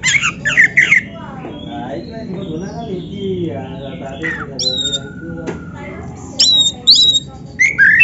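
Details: Black-breasted oriental magpie-robin kept caged, song played to stir other birds into singing; a few sharp whistled and squawky notes at the start and end around a quieter stretch of lower warbled sounds.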